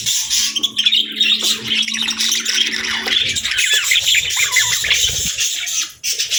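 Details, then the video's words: Budgie warbling song, an unbroken stream of buzzy, scratchy chatter mixed with sharp chirps and squawks, with a faint low steady hum underneath for the first half. "Budgie Singing & Chirping Sounds | Relaxing & Happy Parakeet Sounds"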